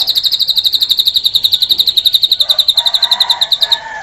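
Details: Drongo giving a cililin-style song fill, a rapid string of bright, high chirps repeated at an even quick pace for nearly four seconds, with faint lower background sounds toward the end.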